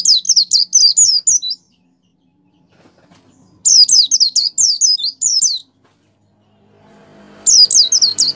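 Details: Three sharp high-pitched phrases from a kept white-eye singing gacor, roughly every three and a half seconds, each a fast string of six to eight thin downslurred notes over near silence, played to stimulate other white-eyes.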